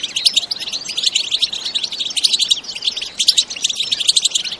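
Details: Energetic bitbita-style singing of European goldfinches, unedited natural sound: thick layers of rapid, high tinkling twitters and sharp chirps overlapping without pause.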